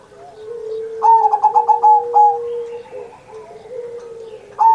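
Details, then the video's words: Kept zebra dove cooing for Indonesia's 79th Independence Day, used to coax other pet doves into singing: a low steady coo runs beneath a burst of higher, pulsed, clipped notes, then softer low coos trail off. "Perkutut Masteran Manggung Gacor Mancing Burung Lain"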